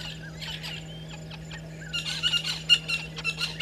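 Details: Early morning, 05:48 on 13 December 2022, at Gowrie dam waterhole in Djuma Game Reserve, South Africa: a violet-backed starling pair at their nesting tree give rapid scratchy bursts and thin squeaky notes, rising in the second half, with a faint hum and background birdsong.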